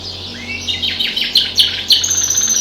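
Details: A pet canary, singing with other birds outside the window, gives a quick series of sharp descending chirps, rising in loudness, over a faint low hum.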